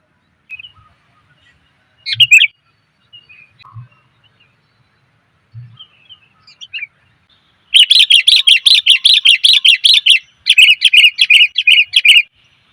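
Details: Female sooty-headed bulbul giving a lure call to attract males: a few scattered soft chirps, then two loud rapid bursts of harsh, buzzy chattering notes, about a dozen each, near the end.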